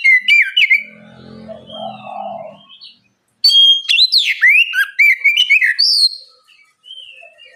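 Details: Loud, lively oriental magpie-robin bait song meant to prompt young birds to sing back: a burst of bright whistled notes, then a quieter low murmur, then a second, rapid, varied run of sharp rising and falling whistles.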